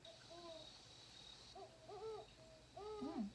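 Great Horned Owl giving deep, soft, muffled hoots in short bursts of several notes, spaced about a second apart, over a faint steady high hum.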